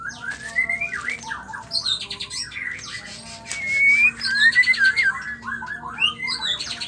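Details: Female white-rumped shama song meant to provoke males into singing: rapid varied whistles and slurred phrases, a long clear upward whistle followed by a loud warbled run in the middle, constant faint hum underneath.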